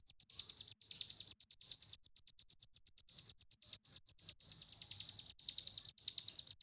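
A Sunda bush warbler sings a long, very high, rapid chatter of ticking and trilled notes in bursts, broken by short pauses.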